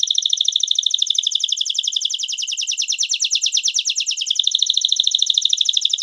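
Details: Atlantic canary (Serinus canaria) singing a continuous, high rolling song of rapid trills and chattering notes, shifting in speed and pitch; a song for teaching young birds and training birds coming out of moult.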